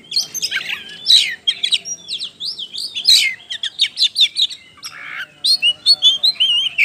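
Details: Persistent, energetic Oriental magpie-robin song meant to provoke other birds to sing: rich, fast whistled phrases mixed with harsh squawky notes and sharp chips, pouring out almost without pause.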